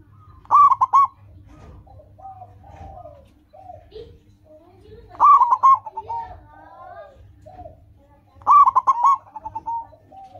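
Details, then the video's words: Local zebra dove song for training caged birds: three clipped, rolling coo phrases spaced about four seconds apart, with softer whistled and chirping calls from other birds filling the pauses. "Perkutut lokal gacor, suara seperti ini bagus sekali untuk melatih burung perkutut cepat bunyi."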